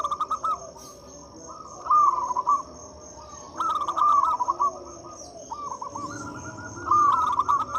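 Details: Local zebra dove singing as a lure to get silent doves to sing. Four phrases of fast, bubbling, trilled cooing notes come at irregular intervals, with a constant thin high whine behind them.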